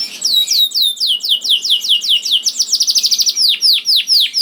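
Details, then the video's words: Canary singing hard to coax quiet canaries into song, a long series of clear descending whistles that speeds up into a rapid rolling trill and slows again into broad swooping notes. "KENARI GACOR DOR INI MEMANCING KENARI YANG SUSAH BUNYI JADI IKUT GACOR"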